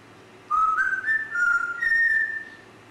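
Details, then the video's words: Grey parrot whistling a sustained, multi-step melody of level tones that climb gradually in pitch over about two seconds. "GRAY PARROT"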